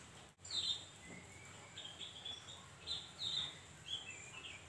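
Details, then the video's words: A Javan grey-throated white-eye gives high, thin chirps and short trills, repeated every second or so over a steady background hiss. "Opior Jawa manapun pasti Nyaut dengerin suara burung Opior Ini"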